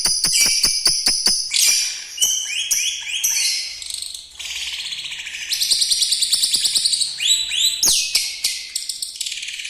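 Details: Caged lovebird with a rough voice and long chatter, kept as a master song for young lovebirds, with canary-like fill phrases. Opens with sharp repeated clicks, then dense high buzzy chattering and rising whistled notes throughout.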